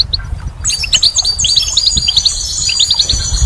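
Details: A few isolated high notes, then a goldfinch launches into rapid, sparkling spring song full of twittering trills and liquid slurs.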